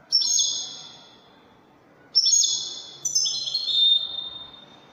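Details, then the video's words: Moroccan widani singing from a European goldfinch: a high drawn note, then two more overlapping drawn phrases that step downward and hold steadily. "الحسون الويداني الملك الذي يستحق استماع وتمتع في ادائه في التغاريد الويدانية المغربية"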